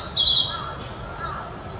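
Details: A young Narcissus flycatcher sings in Mizumoto Park, Japan, on 1 May 2023: a brief, bright, high whistled phrase with a quick trill, followed by thinner fading notes over faint outdoor background.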